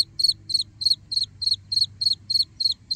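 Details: Black francolin chick giving short, high, bright peeps that fall slightly at the end, repeated steadily about three times a second, with a faint low hum behind.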